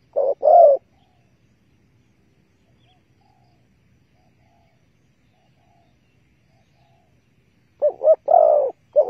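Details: Spotted dove during bird trapping with bare bait, 15 August 2020: a brief coo at the start, a long stretch of near silence, then a final burst of clipped notes and a coo.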